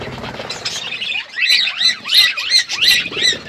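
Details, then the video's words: Budgerigar in an outdoor aviary giving a run of arched, rising-then-falling whistled chirps, about one every third of a second, over background flock chatter. "Budgies in my outdoor aviary birds chirping sound"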